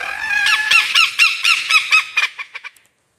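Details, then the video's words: A lyrebird gives a rapid run of harsh, nasal, clucking notes, about four a second, that quicken and fade away at the end. Finding: Lyrebird. "The Beautiful Chirping Sound of King of Mimicry Birds, The Lyrebird"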